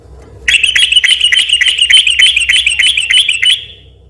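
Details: Sooty-headed bulbul singing energetically in a long rapid trill, used to lure other bulbuls: about fifteen sharp, buzzy notes delivered quickly and evenly over three seconds, then a sudden stop, with a faint low hum underneath.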